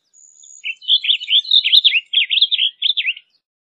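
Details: A blue grosbeak delivers a brisk warbled phrase of around two and a half seconds: jumbled, rising and falling sweet notes in quick succession, preceded by a thin, faint high whistle, then silence.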